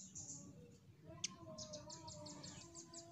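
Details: A nuthatch gives a quick series of thin, high chips, about five or six a second, over a steady low hum and faint lower tones; it is offered as a recording to provoke other nuthatches into calling.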